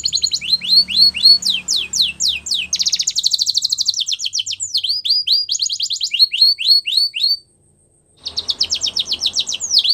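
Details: Singing male canary delivering quick rolling trills of rising and falling notes, a harsh buzzy burst midway, a brief pause, then more rapid repeated phrases.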